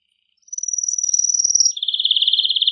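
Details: Powerful male canary song to arouse mating, starting with a high sustained buzzy trill that drops abruptly into a lower fast rolling trill.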